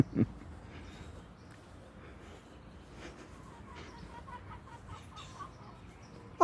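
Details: Chickens heard from a yard on May 10, 2023: two brief, loud clucking calls open and close the clip, with fainter clucks between them over a steady outdoor hum.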